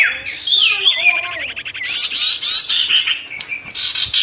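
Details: Sirtu in full song, played to anger wild birds and draw rivals down: a varied, high warble with fast rolling trills, slurred whistles and buzzy phrases running continuously without pause.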